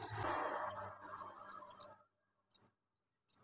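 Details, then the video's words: Javan magpie-robin in strong singing form, a song filled with mimicked lovebird, golden grasshopper and cricket sounds, for tutoring other birds: a quick burst of high, sharp chirps, then two isolated high notes after a pause, with faint low murmur at the start. "KONIN GACOR NGOBRA ISIAN BELALANG EMAS LOVEBIRD CILILIN BUAT MASTERAN"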